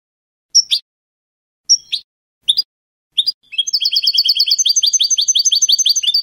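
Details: Goldfinch in Spanish canto de salón style, sung without terminations: four spaced, sharp high notes open, then a fast, steady, tinkling trill of doubled twittering notes runs to the end. No other sounds present.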